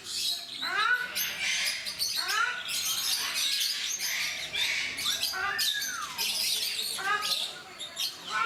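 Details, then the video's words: Ruddy shelducks (Brahminy ducks), captive at Mysore Zoo, India, give nasal, arching honk-like calls with rich overtones, about five spaced through the stretch, over a constant wash of high chirping from other birds. "Ruddy Shelducks / Brahminy Ducks Making Sounds"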